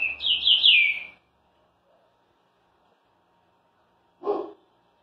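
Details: Caged green-winged saltator in Rio de Janeiro, Brazil, just out of its moult and singing strangely again: one short whistled phrase sliding downward, about a second long, then silence and a brief low knock or bark-like noise near the end.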